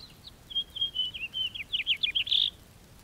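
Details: Song of a house finch: clear whistled notes give way to a tumbling series of quick slurred chirps, then a loud buzzy burst at the end.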